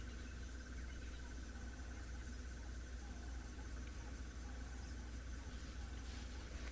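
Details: A crested barbet calling just behind a safari vehicle in the South African bush near sunset in February gives a long, even, rapid trill like a muffled alarm clock, unbroken at mid pitch over a low rumble of wind and engine.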